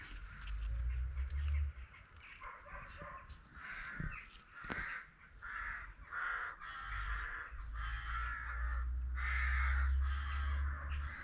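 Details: Spalding emerald peafowl at a peacock farm giving a run of harsh, honking calls, about one every second or so, with steady low wind rumble underneath.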